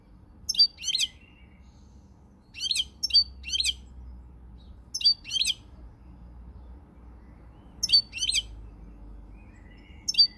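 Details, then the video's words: European goldfinch song from 20 March 2020: bright, liquid twittering delivered in short clusters of two or three rapid jingling bursts, spaced by pauses of one to three seconds, with faint low background rumble. "Pirlitan Chardonneret, El jilguero, bird, cardellino pezzato GOLDFINCH SONG"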